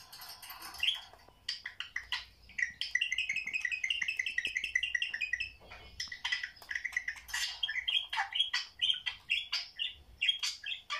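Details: Indoor budgerigars watching videos: an opening scratchy chatter, then a fast run of repeated chirpy notes for several seconds, followed by varied squeaks and warbled calls.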